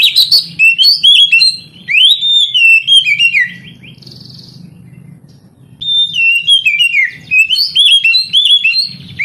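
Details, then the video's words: Oriental magpie-robin singing, played to spur young canaries reluctant to sing: rapid run of sweet whistles, trills and sharp rising notes, a brief buzzy pause near the middle, then another energetic burst of varied phrases with a low hum underneath. "Terapi Kacer tercepat | kenari paud malas bunyi langsung NGADU"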